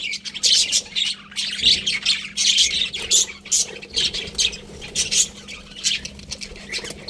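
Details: Budgerigars give spaced bursts of loud, harsh squawky chirps, each burst a short cluster of high notes separated by quieter moments of softer chatter.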